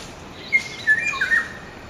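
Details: Black-naped oriole (Oriolus chinensis) in Jingmei, Taipei, Taiwan, April 2012, giving four brief, clear whistled notes packed into about a second, slightly dropping then rising again, over a soft background hiss.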